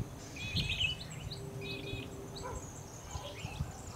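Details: Male European Goldfinch in early September 2017 at Richmond Lowlands, NSW, in a weedy roadside area within farmland; brief high twittering chirps near the start, then faint scattered notes over a steady low rumbling background.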